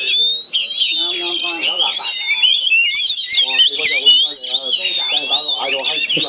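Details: Two caged Oriental magpie-robins facing off through the bars of Chinese cages in an aggressive contest: continuous, busy chatter of twisting whistles and harsh notes, steady and loud throughout, with people talking in the background.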